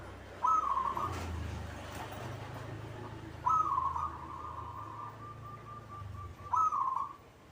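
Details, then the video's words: Caged local zebra dove, described as quick to sing, gives three short trilled coos about three seconds apart. The second coo trails into a long, steady tone, over a low hum. "hitungan detik perkutut cepat bunyi atau gacor"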